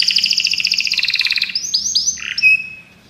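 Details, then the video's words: Belgian canaries singing a rapid two-toned rolling trill, then several rising whistled sweeps and a sharp final note fading out. "Os canários belgas cantam espetacularmente"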